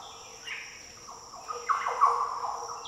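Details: In Australia's Daintree rainforest, a Green oriole gives a rich, liquid phrase of rolling fluty notes that swells to its loudest in the second half, backed by a continuous high insect buzz.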